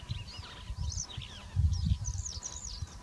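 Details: Black-headed wagtail, subspecies Motacilla flava feldegg: thin, high, arched chirps, some rising then falling, given in loose irregular runs over a low rumble of wind.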